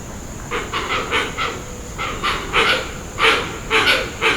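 Hoatzin giving hoarse, wheezy, hissing growls in short breathy bursts, about two a second, unevenly spaced, with a faint steady high insect-like whine behind.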